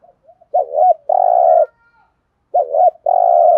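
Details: Spotted dove cooing in thúc gù style, two matching phrases about two seconds apart, each a bouncing two-part note followed by an extended buzzy level coo.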